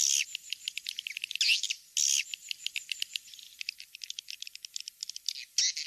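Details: Swiftlets on the King's Star nest-house lure track. A few loud chirping bursts frame long trains of sharp, evenly spaced clicks, quickening and then fading, over a quiet background.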